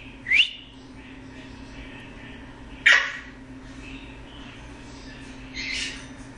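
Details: A male Eclectus parrot, a foster bird, gives three harsh, squawking calls spaced about two and a half seconds apart, over a steady low indoor hum.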